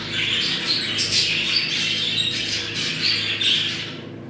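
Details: Budgerigars in breeding chatter, warbled squawks and short high whistles crowding together, fading at the end, over a low hum.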